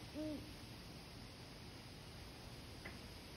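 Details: Great horned owl, one of a male and female pair calling to each other: a single short, low hoot with a faint overtone right at the start, then only steady background hiss.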